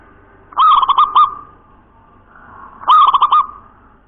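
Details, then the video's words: Local wild zebra dove singing in the clear nropel cowong gowong style: two rolling cooing phrases, each a quick series of pulsed notes, about two seconds apart. "Perkutut lokal SUARA NROPEL COWONG GOWONG BENING"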